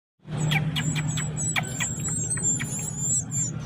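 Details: Sooty-headed bulbul chick begs while being hand-fed. It gives a continuous, very high, thin squeal that wavers in pitch, broken by sharp clicking taps. A steady low engine-like hum runs underneath.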